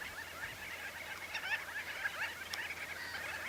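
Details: Common shelducks at the Tancat de Milia reserve in April, a flock of 12 to 45 birds arriving from the l'Albufera lagoon to feed: overlapping nasal, chattering calls over a constant hiss of background noise.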